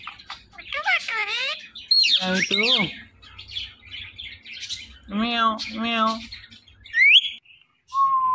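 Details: Pet Indian ringneck parrot mixes chirpy warbled syllables with two nasal mimicked words, then a rising squeak and a short whistle.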